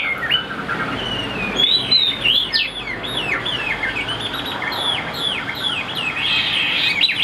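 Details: Chinese hwamei kept as a cage bird sings a rapid, lively run of clear slurred whistles. Short notes bend downward in quick succession and build into a denser, louder warble near the end.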